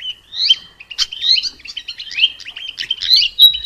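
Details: Mugimaki flycatcher singing in the wild, its song used to train other songbirds: a continuous, fast jumble of high chirps, twitters and short slurred notes, rising and falling in loudness.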